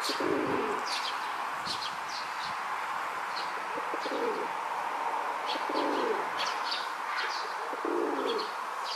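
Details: Male rock dove in a park, throat puffed, courting a female: low soft rolling coos, each about half a second long, repeated roughly every two seconds, with small birds chirping high and a steady background hum.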